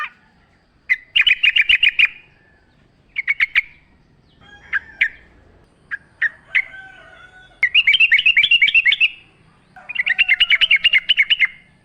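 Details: Wild yellow-vented bulbul in full, persistent song for luring other birds, with natural surroundings: bursts of rapid chattering notes interspersed with short bubbly chirps and brief pauses, repeated over several seconds.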